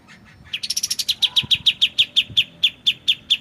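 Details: Long rapid series from a white-shouldered triller: a quick flurry of high notes slowing into evenly spaced bright chips, roughly two per second, over softly running water.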